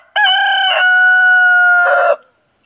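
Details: A huge rooster crowing without pause: one loud, drawn-out crow lasting about two seconds, opening with a short rough note, then a long steady harmonic-rich tone ending in a rasping burst, against a silent background.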